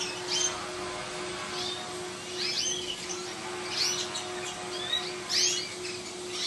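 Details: Aviary canaries with yellow beaks giving sparse, sharp high chirps and brief twitters spaced about a second apart, with a constant low hum underneath.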